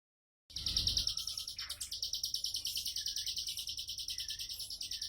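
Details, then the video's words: Bar-winged prinia (ciblek sawah) singing a relaxed tembakan-style song: a fast, even run of sharp high chirps, about three per second, with a faint low hum underneath. "Tembakan santai ciblek sawah"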